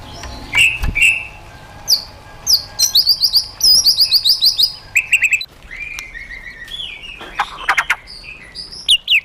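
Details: White-rumped shama's wild-style song for training caged birds, heard fainter and more scattered: high rapid chip series, short whistles and trilled bursts separated by gaps, with a faint background hum.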